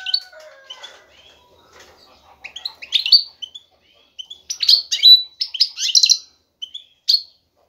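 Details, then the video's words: Male European goldfinch, ready to breed, singing excitedly to attract a female for mating and nest building: bright twittering and chirping notes with buzzy trills, in bursts with short pauses, preceded by faint lower whistles. "ذكر الحسون جاهز, يبحث على الانثى للتزاوج"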